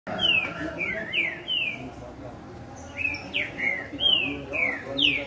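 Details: Green-winged saltator (trinca-ferro) singing persistently: a run of loud, clear whistled notes, each sliding downward, delivered in two phrases separated by a short pause, with faint background murmur.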